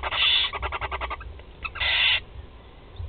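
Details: Barn owl nestlings, four chicks fed at Théding, France, on 16 July 2020: a loud breathy hiss, a fading run of quick pulses, then another strong drawn-out rasp.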